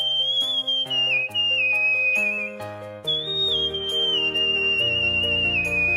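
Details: Cockatiel whistling the melody of Let It Go: sustained whistled notes that step gently downward in two phrases, over loud instrumental backing music with shifting chords.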